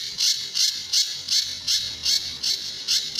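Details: Sunda bush warbler master song with tembakan and besetan for training other birds: loud, grating high-pitched bursts spaced a little under half a second apart, about eight in a row.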